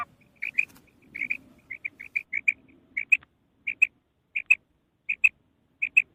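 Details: Female common quail calling: short, bright notes in pairs or small clusters, repeated at irregular intervals of about half a second over six seconds, with a faint low murmur underneath early on.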